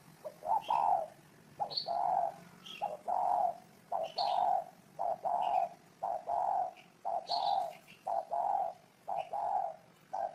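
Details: Steady series of low, husky coos from spotted doves, roughly one per second, overlapping into a near-continuous cooing chorus. Occasional high bird chirps are heard above.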